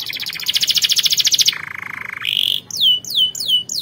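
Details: Canary song meant for training other canaries to sing: a fast high buzzing trill, a lower sustained rattling roll, a short steady tone, then several descending whistled swoops, over faint background hiss.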